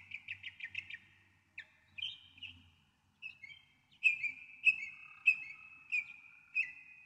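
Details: Clear Northern mockingbird song against near silence: a rapid stutter of identical notes, then slurred whistles, then loud sharp phrases repeated roughly once per second.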